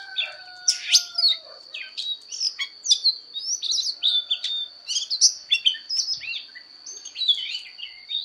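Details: Oriental magpie-robin singing a fighting song during voice training: a long, varied run of clear whistles, swoops and brief chattering notes, loud phrases separated by short gaps, with a faint constant high tone underneath.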